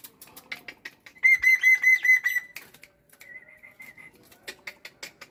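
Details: Black-winged myna kept as a pet, singing on a morning: scattered clicks, then a burst of loud, even whistled notes, a pause, and a quieter steady run of high whistles, with more ticking notes after.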